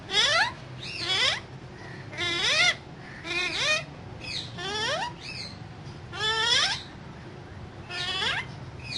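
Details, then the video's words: Pet parrot said to be talking, giving a series of loud harmonic calls that sweep upward, repeated about every one to two seconds over a low steady indoor hum. "Raw Parrot Talking So Cute"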